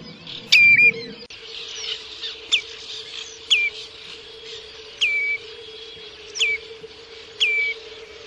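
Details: Whistled calls of a common redshank (Tringa totanus): short, clear notes that drop sharply and flatten, repeated roughly once a second against faint hiss and a constant low hum, with a brief rustle at the start.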